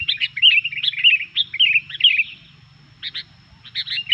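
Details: Sooty-headed bulbul singing vigorously, a song said to provoke other bulbuls: bright, bubbly chattering phrases of quick slurred notes for over two seconds, a pause, then short paired bursts; faint low hum underneath.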